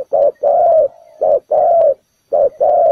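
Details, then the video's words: Spotted dove used as trap bait on the ground, cooing three times in a row, each a short note then a sustained, gently falling coo, with a faint murmur between. "Bẫy cu gáy mồi đất, bổi thổ đủ bài, quá hay"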